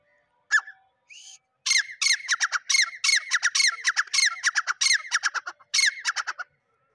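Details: Male grey francolin calling: after a few scattered notes, a loud, rapid, rhythmic series of harsh, ringing phrases repeated over several seconds, each with a strong sharp onset.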